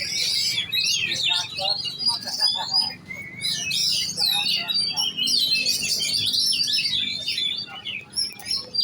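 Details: Oriental magpie-robin trained for song competition, singing loud varied whistled phrases and fast chatter, with short pauses between bursts.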